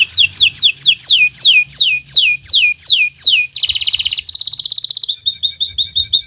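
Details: Local canary of bottle-green colour singing for birds learning to sing: about a dozen loud downward swoops in steady rhythm, then a harsh buzzy roll, a rapid trill and thin high piping notes.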